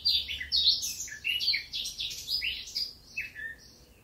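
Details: Song of a Eurasian blackcap, recorded in Occitanie in the south of France in 2022, a fast jumble of clear whistled and chattering phrases that slows and fades toward the end.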